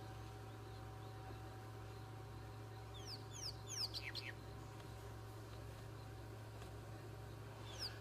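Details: Crowned lapwings flying overhead at dusk on a safari drive, Djuma Game Reserve, South Africa, 28 October 2011: quick burst of shrill, strident, down-slurred notes, then one more late call, over a steady vehicle engine hum.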